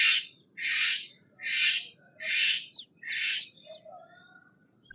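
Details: Steller's jay repeating coarse, grating shook calls, five harsh bursts spaced under a second apart, trailing into softer scattered chips over a low steady hum.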